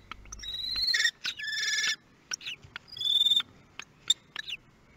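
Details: At a kestrel nest in Théding, France, on 23 May 2022, newborn chicks get their first meal. Two rasping, drawn-out harmonic calls run back to back, then a third follows, mixed with scattered sharp clicks and short thin notes.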